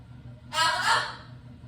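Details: A military macaw kept as a pet gives a single harsh, raspy squawk lasting about half a second, over a low indoor hum, joining in as its owner talks.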